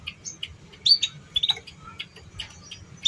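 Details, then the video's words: Lure song of a canary for teaching young birds: high chirps, short trills and brief whistled notes in an uneven sequence, with a soft low background hum. "Pancingan Suara Kenari Paud"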